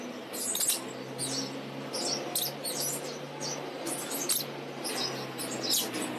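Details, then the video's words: Several lovebirds chirping: rapid, thin, very high squeaky chirps in irregular clusters, roughly eighty per minute, over a constant low electrical hum. "lovebirds chirping sounds."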